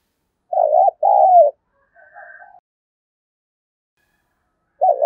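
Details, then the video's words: Spotted dove cooing to urge a captive dove into quick cooing: a two-part warbling coo, a faint softer call about half a second later, a long silence, then the start of another coo. "tieng cu gay kich boi nhanh noi"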